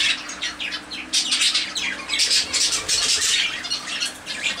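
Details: Zebra finches out in warm weather giving a busy run of short, nasal, buzzy calls, several birds overlapping in a steady, bright chatter with quick pauses between bursts.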